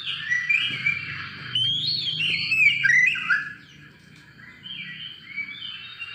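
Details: Varied, rich warbling from an Oriental magpie-robin, used as a lure to get other birds singing: rapid slurred whistles and fluttering notes for about three seconds, then softer, quieter phrases, with a faint low hum underneath.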